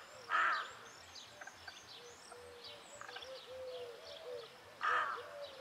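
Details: Rook: one loud, harsh caw at the start and another near the end, with thin, faint whistled calls from other birds in between.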